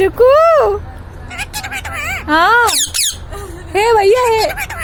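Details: Pet Indian rose-ringed parakeet talking: warbled, speech-like phrases of rising and falling squeaky tones, delivered in three loud bursts with short pauses, faint background hum.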